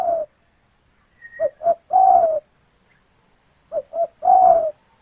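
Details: Female spotted dove calling the male: low cooing phrases of two short notes followed by a longer slightly falling coo, repeated twice, with a faint high whistle briefly in the background.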